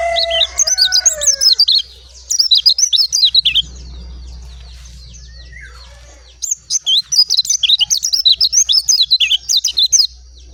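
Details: Dakun-type oriental white-eye giving rapid, high chattering warbles, breaking off for several seconds and then resuming. A low steady hum and a lower slurred whistle are also heard.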